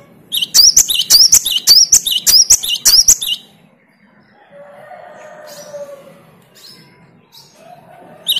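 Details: Parus major responding to a recorded great tit lure, delivering a quick run of about seven bright, high two-note phrases in three seconds, followed by quiet with a faint low hum.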